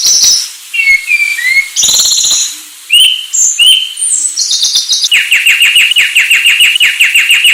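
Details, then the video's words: Sulawesi myna song: a mix of clear whistled slurs and short chirps in varied pitches, then a fast, even run of bright repeated notes, about four per second, to the end. "Anis Sulawesi"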